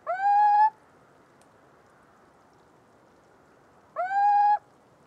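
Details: Little owl (Athene noctua) giving two drawn-out notes four seconds apart, each about two-thirds of a second, swooping upward sharply then holding a steady, slightly rising tone, over a soft constant hiss.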